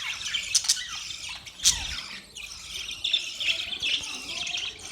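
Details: Group of budgerigars chattering: high warbled chirps, squawky notes and sharp clicks overlapping, with brief quieter gaps.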